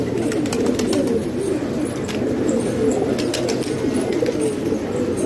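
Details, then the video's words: Pakistani hobby pigeons kept in a house produce a constant low cooing drone, several birds rolling their coos over one another, punctuated by sharp clicks and wing flutters. "Pigeon Sound"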